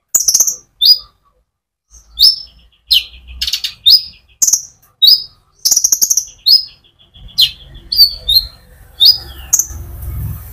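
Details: Sunbird in full rolling song used to stimulate other songbirds; steady run of piercing high chips and short downslurred notes repeated roughly every half second, with a faint low hum in the background toward the end.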